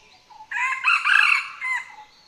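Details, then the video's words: Red junglefowl, the wild ancestor of the domestic chicken, giving a rasping crow from a wild male that breaks up and fades abruptly, hoarse rather than ringing, over a quiet background. "Within native range, calls are useful for the wild male's crowing is hoarse"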